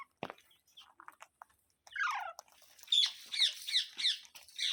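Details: Parrot giving a scatter of soft clicks, then a falling squeaky note and a quick run of five sharp, high, hooked chirps under half a second apart.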